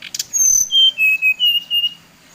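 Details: Lure song of a Bali brown-chested jungle flycatcher, meant to rile up other birds: after sharp clicks, a string of pure whistles drops in steps from very high to mid pitch and then holds.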